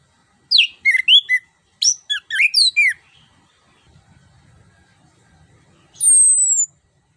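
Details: Orange-headed thrush lure song, meant to trigger a reluctant bird to sing: two dense bursts of varied sweet whistles and slurs, a quiet gap, then one long, high, thin whistle sliding gently downward.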